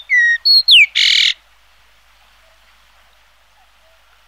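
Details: Yellow-billed grosbeak, a bird that breeds in eastern Siberia, northeastern China, Korea and Japan and winters in South China, Taiwan and Indochina: a few loud, sharply falling whistled notes and a harsh burst, then near silence.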